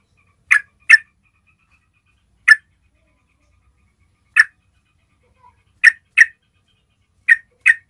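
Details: Yellow-vented bulbul call used to attract all kinds of bulbuls: short, bubbly chirps, often in quick pairs, spaced a second or two apart against a quiet background.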